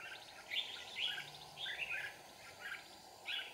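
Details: Clear repeated song of a Red-whiskered bulbul during trapping in Kim Bôi, Hòa Bình, Vietnam: rich, slurred whistled phrases roughly every half to one second, bright and lilting, over low steady background noise.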